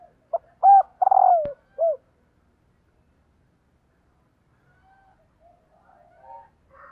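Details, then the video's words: Female spotted dove calling to excite males: a short note, a hooked double coo, then a long burry coo that slides downward and a short closing coo. Quiet follows, with faint soft notes. "CU GÁY MÁI KÍCH TRỐNG"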